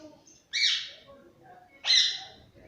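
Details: Green pet parrot kept at home letting out two loud, harsh, descending screeches about a second and a half apart, over quiet low background sound.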